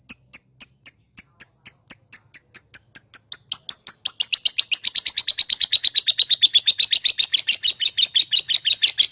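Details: Lovebird giving the long ngekek trill used to anger rival lovebirds: sharp high chirps that start spaced and accelerate into a dense rapid trill lasting several seconds.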